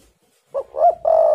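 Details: Spotted dove song used as a lure to make birds sing: a short low coo, then a rising-and-falling middle note, then a long sustained, slightly wavering final coo, all mellow and low-pitched.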